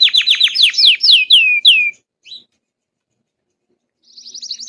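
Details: Belgian canary singing to warm up another canary, a two-second burst of quick descending swooped notes, a short chirp, a long silence, then a faint high rapid trill.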